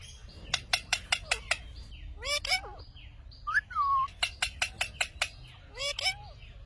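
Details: Talking Indian ringneck parrot giving a run of sharp, rapid clicks, then harmonic whistled syllables that bend up and down, more clicks, and a final rising-falling whistle.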